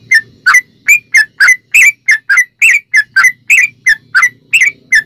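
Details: Sooty-headed bulbul singing a 'ropel panjang' song used as a lure for other bulbuls; crisp whistled chirps repeated about three per second in a regular rhythm, soft low hum behind.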